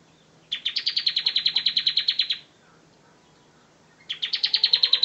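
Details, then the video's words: Bar-winged prinia, ngebren song style as tutor material: a two-second burst of rapid high chips, a pause of over a second, then another quick run begins. "suara kicau ciblek ngebren : masteran ciblek ngebren"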